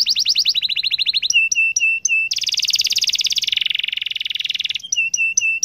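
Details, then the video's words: Atlantic canary in full, lively song with long rolls, used to prompt other canaries to sing; rapid tours of repeated high whistled syllables, fast pulsed trills, then a buzzy rattling roll and sharp repeated chip notes. "KENARI GACOR NGEROL PANJANG AMPUH BIKIN KENARI LAIN IKUT BUNYI LAGI"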